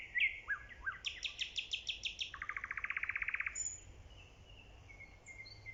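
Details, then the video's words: Nightingale singing, recorded in early spring: a few clear whistled slurs, then a fast series of high repeated notes, then a rapid even rattling trill of about twenty notes, followed by quiet and faint background hiss. "The nightingale's singing"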